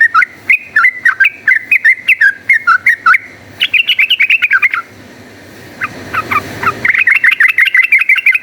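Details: Yellow-vented bulbul singing hard in a rapid combative style meant to provoke rival bulbuls: dense strings of clipped, bouncing notes, a short hushed gap, then another fast volley.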